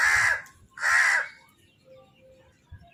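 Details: Food call of a crow among birds fighting over food: two loud, rasping caws in quick succession, followed by a quieter stretch with faint low background noise.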